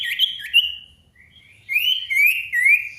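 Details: Ashy tailorbird lure song for calling a rival: two quick slurred whistles, a short pause, then three longer rising whistled notes about every half second, clean background.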